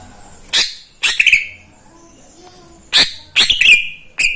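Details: A kept greater green leafbird that sings every day, especially in the morning, gives short, loud, sharp chips and ringing whistled notes in separate bursts with quiet gaps between them.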